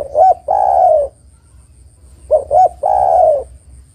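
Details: Female spotted dove calling for a male, meant to make males respond: two phrases about two seconds apart, each a pair of short coos and a sustained, slightly descending coo.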